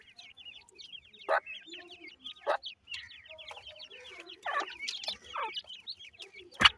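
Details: Teetar chicks at feeding time: a continuous chorus of small, high, upward-curving cheeps, broken by a few loud sharp knocks and soft lower clucks.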